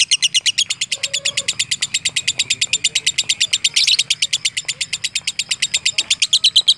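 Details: Lovebird singing in a rapid, steady series of high buzzy chirps, roughly three per second, continuing through the whole stretch with one brief louder burst midway and a faint low tone early on.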